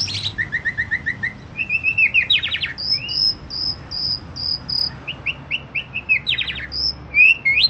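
Asian pied starling singing a busy, varied medley of chirps, sharp clicks and clear whistled notes, some phrases repeated in quick runs.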